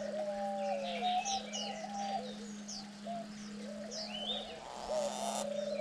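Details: Diamond doves on day nine of raising chicks, parents eagerly feeding young; soft mellow coos, several drawn out and sliding downward, repeated irregularly, with high thin chirps of other small birds and a steady low electrical hum.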